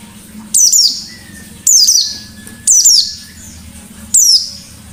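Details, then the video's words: Lively wild-style white-eye giving four loud, high, buzzy downward-sweeping bursts at roughly one-second intervals, each fading out gradually, over a low steady hum. "Burung Pleci Gacor Ngalas Nembak || Pancingan Pleci Ngalas"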